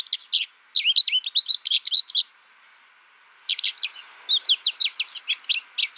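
American Goldfinch song: a long, rambling run of high, quick twittering notes and swept chirps in two bursts split by a brief pause.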